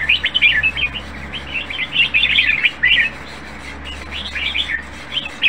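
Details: A caged red-whiskered bulbul with a clean, flawless voice sings a fast run of liquid chirps and slurred notes, near-continuous for three seconds, then sparser phrases, with a low background hum.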